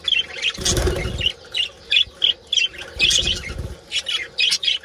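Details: Colony of budgerigars calling during mating: short chirps and squeaky warbles in rapid bursts, broken by two loud broadband flurries that sound like flapping wings.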